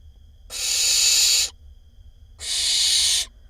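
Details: Barn owl nestling in a nest box in Israel, 20 May 2021, gives two long, harsh, breathy hisses, each about a second long, separated by a brief pause; a sibling making noise.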